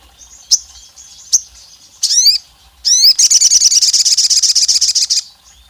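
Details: Olive-backed tailorbird with a call likened to a female calling the male, meant to provoke rivals: two sharp isolated chips, two falling whistled sweeps, then a fast, even, shrill trill of about twenty notes lasting two seconds.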